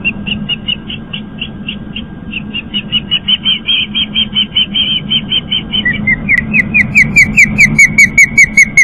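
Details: Young osprey back at its nest after fledging, on a live nest camera on Long Island, New York: steady repeated high chirps, a few per second, shifting to a slightly lower, sharper series, over a constant low hum.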